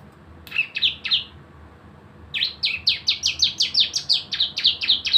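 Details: Cisem, the Javan white-eye, in lure song of the 'nembak bren' style: three quick high chirps, a second's pause, then a steady rapid volley of around thirteen bright chirping notes.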